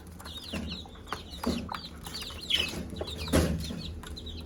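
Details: Hen clucking to call her chicks to food, low soft clucks spaced about a second apart while a crowd of chicks peeps constantly in high, downward-sliding chirps.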